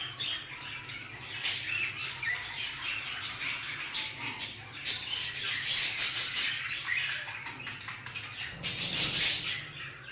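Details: Chattering flock of Hagoromo budgerigars in an aviary, sharp high squawks and twitters layered densely, a loud burst near the end, over a low droning hum.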